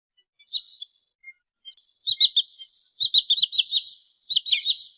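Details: Wild wood sandpiper calling, a recording used to lure birds in rice-field and marsh feeding areas: rapid strings of three to five high, sharp whistled notes ('chiff-iff-iff'), repeated about every second after a few soft introductory peeps.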